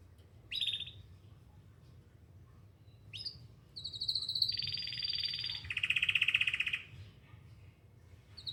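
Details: Canary singing while looking for other canaries: a couple of short chirps, then a sustained high whistle sliding into rapid buzzy trills that stop abruptly, with a light hum beneath.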